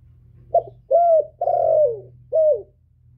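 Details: Male spotted dove calling as a lure for wild birds. It gives a four-part cooing phrase: a clipped first note, a steady coo, a long coo sliding downward, then a short dropping coo. A low hum sits underneath.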